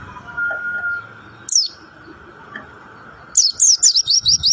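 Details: Mountain white-eye in rock-and-roll style song: one brief high slur, a pause, then a rapid series of looping high twitters, with a constant drone behind.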